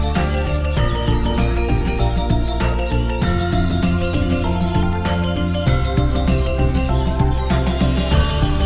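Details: Loud instrumental music with a steady beat and bell-like jingling tones, no animal voice heard.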